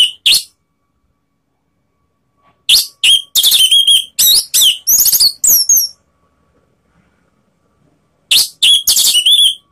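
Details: Orange-headed thrush song meant to provoke rivals: fast runs of sharp, high whistled and chattering notes in dense bursts, roughly three per second, broken by pauses of a few seconds.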